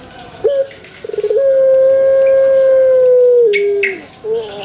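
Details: Long pelung chicken crow recorded in a banana garden: a quick stammered onset, then a sustained even tone lasting over two seconds that steps down to a lower pitch at the finish.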